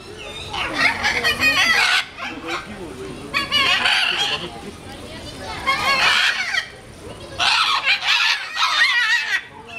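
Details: Two Scarlet macaws (Ara macao) at a zoo in Novosibirsk give harsh, raucous, buzzy screams in loud bursts about every two seconds, with people's voices between the bursts.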